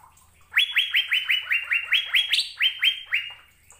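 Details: Asian fairy-bluebird in lively, melodious song: a quick run of about fourteen bright whistles, each rising steeply into a short flat tone, evenly spaced, with one higher note partway through.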